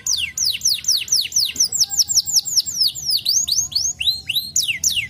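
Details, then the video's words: Canary singing in response to a lure call: a rapid run of very high, sweeping whistles that slide steeply downward, repeated several times a second, with a few upturned notes and a low background hum. "Kenari Langsung Nyaut Dengan Pancingan Ini"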